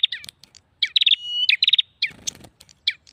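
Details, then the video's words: A prinia gives rapid, high chattering notes in short bursts with a sustained thin whistle between them, used as a lure call to attract prinias; a brief rustling noise is heard. "SUARA PIKAT PRENJAK"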